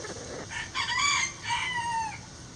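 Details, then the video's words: Backyard chickens relaxing in a coop: two loud, drawn-out harmonic calls, the second sliding gently downward at its end, over low background rumble. "Backyard Chicken Sounds"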